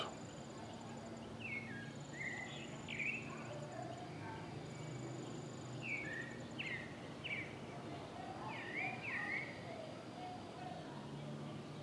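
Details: A pale-breasted thrush (sabiá-barranco) sings on a busy town street in Paramirim, Bahia, Brazil. Short, clear whistled phrases come a few seconds apart over steady traffic rumble from passing cars and a bus, plus a thin, high buzzing trill.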